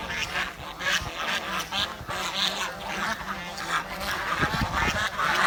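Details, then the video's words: Village swan giving a steady run of nasal, honking calls, several overlapping in quick succession, with a dense, busy background of noise. "The Chirping Sound of The Village Swan"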